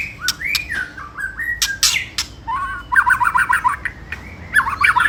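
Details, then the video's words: White-rumped shama provocation song with rattling ketrekan phrases, used to stir rival birds into excited singing. It has clear rising and falling whistles, sharp clicks, then rapid trilled chattering bursts, over a steady low background hum. "Pancingan Murai Paling Ampuh !! ketrekan kramat | 99.9% langsung ikut emosi ( shama bird fighter )"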